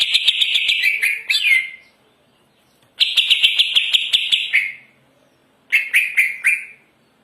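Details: Greater green leafbird in energetic song, delivering three bursts of rapid, high, chattering warble of one to two seconds each, separated by brief silences, each burst ending in a slurred downward note.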